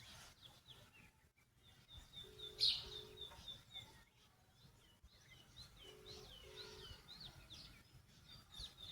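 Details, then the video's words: Several birds chirp together at sunrise in the mountains at Munsyari, Uttarakhand: short high chirps and quick downslurred notes throughout, plus two pairs of low hooting notes, over faint background hiss. "Birds chirping sound"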